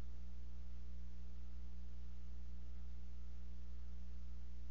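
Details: Only a constant low hum and faint steady tones are heard, with no eagle voices or other animal sounds.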